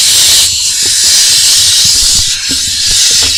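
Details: Barn owl nestlings in an Israeli nest box camera, 21 June 2021, while the male delivers a vole: a steady, loud, breathy hiss that runs unbroken through the whole stretch, with faint knocks underneath.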